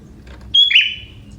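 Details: Young forest sooty-headed bulbul, song with prinia-like elements: a piercing whistle followed by a slurred, buzzy lower note that trails away. A low hum sits in the background.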